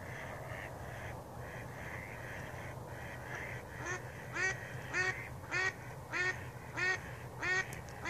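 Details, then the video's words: Duck quacking on a pond in the morning, a series of loud nasal quacks about every half second to second, growing stronger in the second half, over softer distant quacks and a low steady hum. "Morning quackers"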